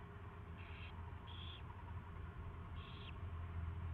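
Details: Owl at its first feeding, recorded on February 24, 2016 at 2:15 PM; three short, harsh hissing screeches, each about a third of a second, over steady low hum.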